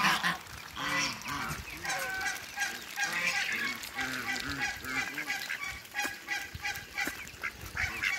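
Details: Flock of farmyard Muscovy ducks alongside a new hybrid: continuous overlapping nasal honking and quacking from many birds, repeated rapidly throughout with no pause.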